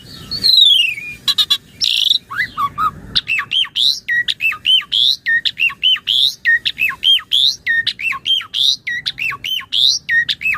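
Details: Jalak suren, the Asian pied starling, gives a master song meant for training other birds: a falling whistle and harsh notes, then a long steady series of clicking, rising and falling whistled phrases.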